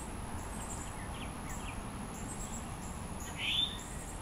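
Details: Male Northern cardinal feeding a juvenile in Diamondhead, Mississippi, July 2016; a single quick rising chip comes near the end over constant low background noise and faint distant high notes.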